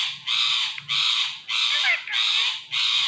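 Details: Rose-ringed parakeet, a talking ringneck parrot, uttering five loud grating squawks at a steady pace of under two per second.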